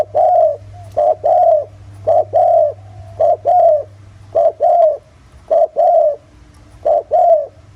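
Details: Deep-voiced spotted dove of the countryside, used as a lure to make other doves call. Low hollow coos come in paired phrases, a short note then a longer rounded one, repeated steadily over a low background hum.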